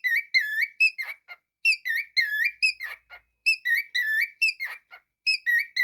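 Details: Pet cockatiel performing a whistled melody: bright tonal notes rich in overtones, rising and falling slurs grouped into repeating phrases with brief harsh buzzy notes between them, steady and loud throughout.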